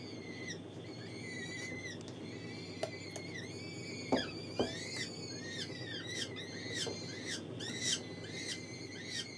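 Gyrfalcon hybrid giving thin, high, whistled chirps with quick upward and downward bends, repeated irregularly about every second over a low indoor hum.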